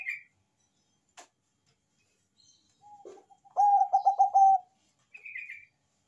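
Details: Bangkok zebra dove noted for its big voice sings in full flow: one loud, rapidly pulsed cooing phrase lasting about a second, preceded by soft low notes and followed by brief higher chirping.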